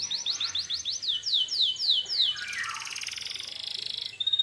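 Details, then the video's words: Canary in energetic bait song for provoking rival canaries to answer: eight or so loud downward-sweeping notes in quick succession, followed by a rolling buzzy trill and a final thin whistle. "suara burung kenari gacor ini paling ampuh untuk pancingan kenari agar Nyaut emosi"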